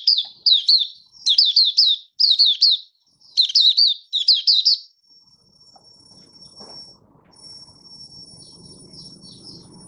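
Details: Buka sing from a caged Malaysian mata puteh, or Oriental white-eye, recorded 1 August 2023 as it builds form: five clusters of rapid high falling whistles about once a second, then quiet with a faint high steady tone and low murmur.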